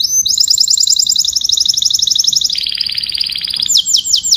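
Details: Canary song given to call the flock: a long, rapid, pulsed high trill that steps down to a slightly lower rolling tour midway, then jumps back up to a fast high trill at the end.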